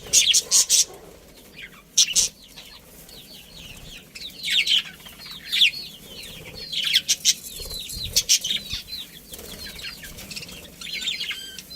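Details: Budgerigars, a breeding pair kept in a colony, chirp in quick bursts of sharp, high twittering notes. The clusters come every second or two with brief quiet gaps, over a faint low background hum.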